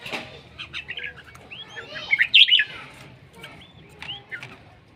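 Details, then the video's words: Red-whiskered bulbul, described as beautiful and fierce, giving a short run of sweet whistled notes. They rise to a louder, bright cluster midway, then trail off into softer scattered chirps against a quiet hum. "Noog diab kaum lauj zoo nkauj khav heev"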